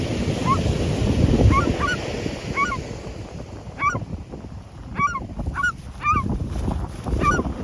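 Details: Several gulls give clipped, nasal, down-slurred cries, often doubled, spaced irregularly over several seconds against gusty wind noise.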